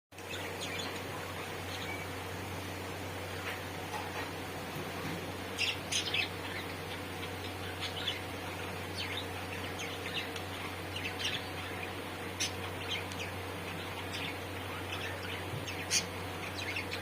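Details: Breeding pet budgerigars give soft, scattered chirps and short warbles over a steady low hum.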